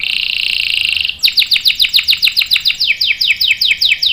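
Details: Canary singing long rolls to prompt other canaries and tutor young ones: a steady high buzzy trill, then a series of sharp downslurred chirps about four per second.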